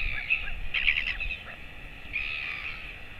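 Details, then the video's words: Royal albatross adult male feeding his chick on a colony webcam, late morning of 28 August 2024, chick 217 days old. Harsh, buzzy, nasal calls in bursts, strongest near one second and again after two seconds, over low wind rumble. "Royal Albatross~😊 Dad is feeding TFT"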